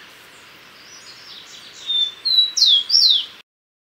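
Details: Common tody-flycatcher calls: after a low murmur of soft chips, a thin whistle rises into three loud, piercing downslurred notes packed closely together before the sound stops abruptly.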